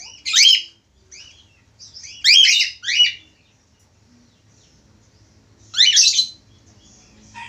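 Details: Actively singing male budgerigar gives harsh, rapid downward-sweeping chirps in short clusters, one near the start, a double burst around two seconds, and another near six seconds, with quiet pauses between.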